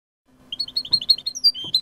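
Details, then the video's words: European goldfinch singing the clean 'jilguero limpio' song style, from a 2019 recording: brief silence, then quick high twittering notes, short rising and falling chirps and a drawn-out whistle, with a faint low hum beneath. "CD jilguero limpio 2019"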